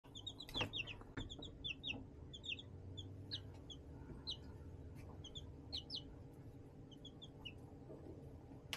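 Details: Young chicks raised in a plastic-tote brooder box under a heat lamp, giving short high peeping chirps in quick bursts over a steady low hum.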